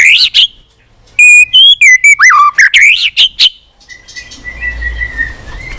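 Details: White-rumped shama pouring out long, continuous song with many varied voices while tail-flicking on its perch. Rapid bursts of rich whistles, slurs and sharp chips come first, then a quieter stretch with a thin, steady whistle over background hiss.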